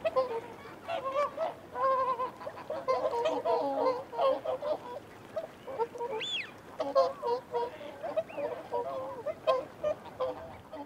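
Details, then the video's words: A flock of whooper swans gives steady feeding and territorial calls, with continuous overlapping nasal honks pulsing in short bursts and one higher, sharper call rising above the chorus near six seconds. "Whooper Swan. Feeding Calls & Territorial Calls"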